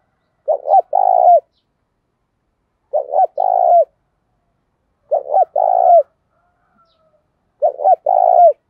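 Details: Spotted dove with a field-type voice calling in the 'thúc' manner named 'Đấu Bổi'. Four regular coo phrases sound about every two and a half seconds, each a stuttering double note followed by a sustained, trilling low coo that falls away.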